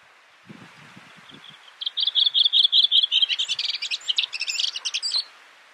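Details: Redwing (Turdus iliacus coburni) at Brjánslækur, Iceland, in June 2019, giving a high phrase of quick repeated notes lasting about three seconds and ending in a jumbled twitter, with faint low rustling just before it.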